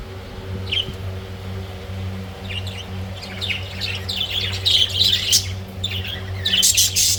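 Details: Budgerigars kept with hatching eggs and chicks give high, scratchy chirps that grow busier and more overlapping toward the end over a steady low hum.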